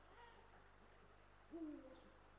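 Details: Eurasian eagle-owl pair, male and female, at their nest in Estonia, 18 March 2022, filmed by a live camera: one brief, slightly falling harmonic call near the end, after quiet hum and faint murmuring.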